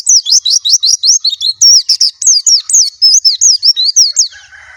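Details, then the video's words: White-eye song: a fast run of very high, loud, bouncing whistled notes, each a quick down-up slur, about five per second for four seconds, then a short fade with a faint lower buzz. "suara burung plecci"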